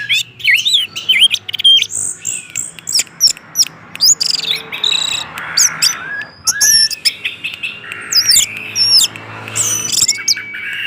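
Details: Orange-headed thrush in fast 'gacor teler' style song, played as a lure to set other thrushes singing: dense run of sharp, high whistled notes and rising slurs, rapidly varied and almost continuous, with faint low background hum.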